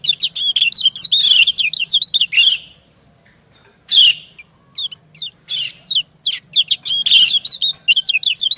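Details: Female white-eye answering a male: fast chattering strings of high, looping chirps with harsh accents, a short lull, then renewed sharp chirping.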